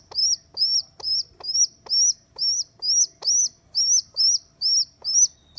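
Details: A rescued rock pigeon chick, left by its mother on a neighbour's roof, gives a regular string of shrill, slightly rising-then-falling squeaks about twice a second, with light knocks in the background.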